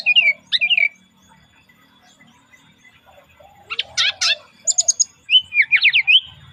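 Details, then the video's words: Relaxed song of a brown-chested jungle flycatcher, used as a lure. Short bursts of twisting whistled notes are separated by a long quiet stretch, followed by a rapid run of sharp descending chirps. Low cooing sounds behind. "SRDC Bunyi Santai Pancingan"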